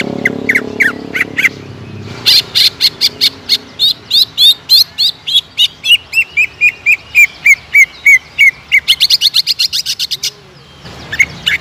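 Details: Greater green leafbird provoked to sing aggressively: a loud, fast run of varied whistled and chattering notes, a descending series of clear slurred whistles, then rapid high twittering bursts.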